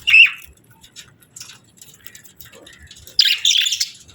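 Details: Breeding budgie pair; a sharp opening chirp, quiet scattered twitters, then a loud scratchy burst of chatter near the end.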